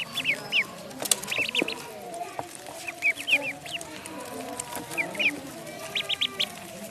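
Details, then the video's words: Ducklings in a pond giving short high peeps in loose clusters of two to four, spaced across the recording, over a steady background hiss. "Duck Sound duckling in the pond -duck quack"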